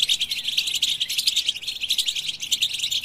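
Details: Brief burst of goldfinch song, busy high twittering with buzzy, tinkling notes, unbroken throughout.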